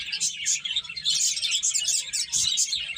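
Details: Brief burst of finches chirping while eating and playing, with quick, bright, clipped tweets following one another closely over a soft low rumble.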